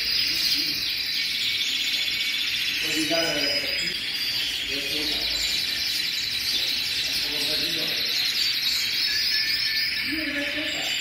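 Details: Many hundreds of canaries in full song, their overlapping high trills and sweet warbles forming a steady shimmering blanket, while occasional lower, rounder calls break through at intervals.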